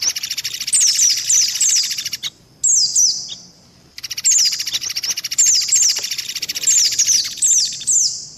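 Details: Mixed lure for white-eyes, mantenan and pelatuk beras: a continuous high buzzing trill studded with quick downslurred chirps, with one short pause midway.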